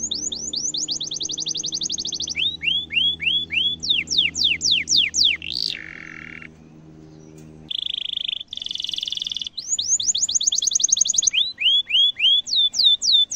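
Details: A lively canary sings fast, high tours of repeated sweeping notes, switching phrase every second or two. The song is offered as a master recording for tutoring young canaries or ones that have stopped singing.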